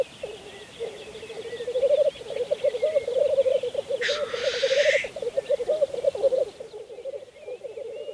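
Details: Rhythmic, gobbling, bubbling coos of black grouse at a spring lek on Saaremaa, Estonia, 2014, build in strength, and a sharp rasping hiss rings out for about a second near the middle.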